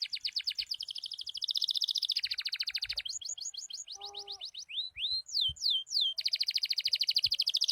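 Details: Loper canary song, one of several song variations: long fast trills of rapidly repeated high notes, switching to separate falling whistled slurs, then back to a buzzing rapid trill.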